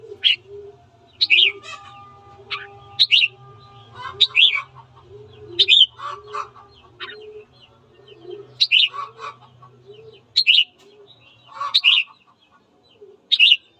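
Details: Red-whiskered bulbul in morning song, recorded to goad birds into fighting: short bright whistled phrases repeated about every one and a half seconds, some with lower trailing notes, over soft low cooing and a faint hum.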